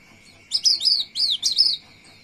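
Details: Javan white-eye (Zosterops flavus), a small, protected species becoming scarce, giving its call: about a second of thin, high, twittering notes rolling into a quick rippling phrase, softer than a kacial's, over a faint steady electronic hum.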